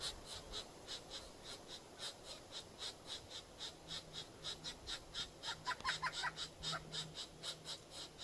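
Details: Two baby Pileated Woodpecker nestlings in a nest inside a rotten tree squawk for food: harsh, raspy squawks, about two each second, with a few thin higher notes mixed in toward the end.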